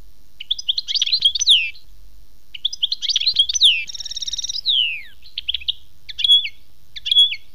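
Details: European goldfinch performing khmis melyana song: dense bursts of tinkling, twittering notes, a rapid buzzing trill sliding downward, then clipped whistled phrases. The song is loud and clear with no other sounds.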